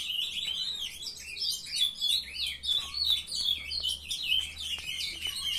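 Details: Brood of captive young ultramarine grosbeaks at 7:21 in the morning, a softer, irregular chatter of twittered and slurred notes mixed with sharp clicks and chips, several birds overlapping.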